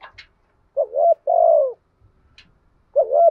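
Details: Deep-voiced fighting coo of a spotted dove: a wavering stuttered note, then a long smooth coo tailing downward, and a second phrase starting at the end; faint soft knocks and rustles in the background.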